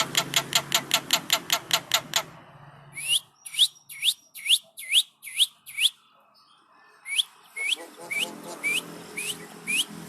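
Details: Asian pied starling nodding while singing: a rapid string of about a dozen harsh chattering notes, then a series of sharp upslurred whistles, each about half a second apart, broken by a short pause.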